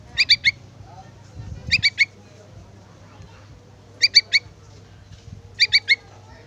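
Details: Young yellow-vented bulbul calling for its parent with quick triplets of sharp, high chirps, four clusters spaced unevenly, against a soft low background hum.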